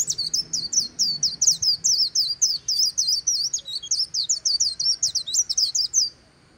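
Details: Vietnamese white-eye near the Kỳ Cùng river singing the "líu" song: a dense, fast run of sharp high twitters for six seconds, then stopping abruptly.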